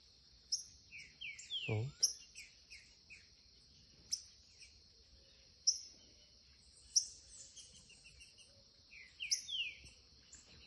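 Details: A young green-winged saltator sings the curricutil style at a gate, giving repeated down-slurred whistled notes in short groups with sharp clicks between. A loud insect drone runs throughout, and a brief low thud is heard.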